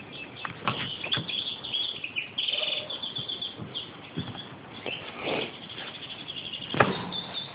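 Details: European goldfinch calling while feeding, giving scattered high chirps and short twitters between irregular clicks and rustling, with a louder sharp tap near the end.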